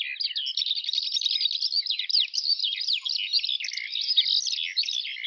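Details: Unbroken high song of a Eurasian skylark, a fast rippling chatter of chirps, slurred whistles and trills pouring out without breaks.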